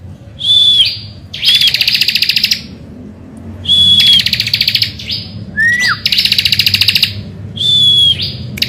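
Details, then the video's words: Bar-winged prinia in morning song meant to provoke other birds into singing: repeated phrases of a clear level whistle followed by a long buzzy pulsed rattle, with one steeply falling whistle in between. "Pancingan Ciblek Gacor Di Pagi Hari"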